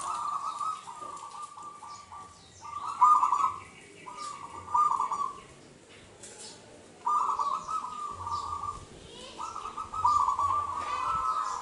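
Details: Local wild zebra dove with a clear crystal voice, used as a lure to prompt other doves to sing: soft mid-pitched cooing phrases of rapid bubbling notes, repeated in bursts separated by pauses.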